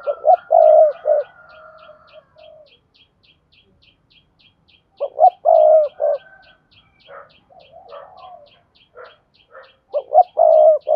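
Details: Spotted dove calling as a lure to make other doves coo: two low, hollow phrases of three or four notes about five seconds apart, soft chattering between them, with constant rapid ticking behind.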